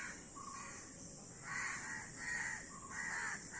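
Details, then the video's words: Crows giving hoarse caws in a few separated bursts, slower than a call per second, over a steady high hiss. "অনেক কাক Crow Bird's Video | কাকের ভিডিও ও কাকের ডাক"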